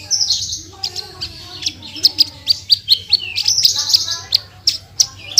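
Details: Singing Javan bush lark with a tembakan phrase: isolated bright high chips spaced irregularly, mixed with short buzzy trills, against a faint steady hum.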